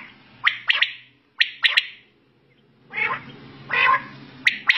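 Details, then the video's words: Quail recorded at night, several calling together, give short, harsh, squawky notes in quick pairs and triplets, broken by a couple of longer, rougher bursts. "Battair Sound"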